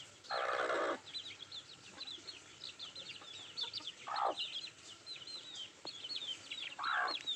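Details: Country chickens feeding, with a busy layer of short high peeps and three loud, harsh, noisy bursts spaced a few seconds apart.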